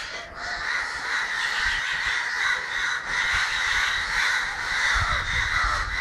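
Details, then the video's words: Crows in Kerala on 9 December 2012, a dense chorus of harsh, overlapping caws from many birds, continuous and raucous throughout. "Crows making horrible sounds"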